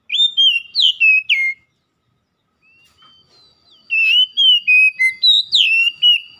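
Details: Oriental magpie-robin song meant to restart a stressed bird that has gone quiet: a string of loud slurred whistles, a short pause with faint notes, then a long lively run of rising and falling whistled phrases.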